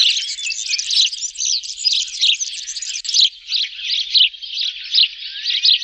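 A flock of sparrows chatters in a dense, unbroken stream of sharp, high chirps and twitters that overlap without pause.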